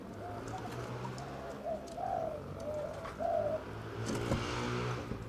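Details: A newly caged young Spotted Dove, confirmed female because she laid an egg, gives a short run of soft, hollow, mid-pitched coos in three-note phrases, a sweet voice, over a woman talking and a low background hum.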